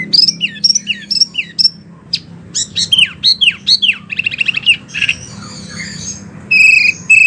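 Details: Wambi song, a recording meant for training oriental magpie-robins and other birds. It is a varied phrase of high slurred whistles, falling notes and short chattering bursts. A faint low hum runs underneath.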